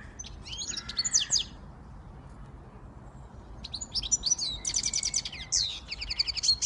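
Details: Siskin x goldfinch hybrid singing in two bursts separated by a silent gap, with high twitters and a low buzz first, then a longer run of rapid repeated chips and rattling trills.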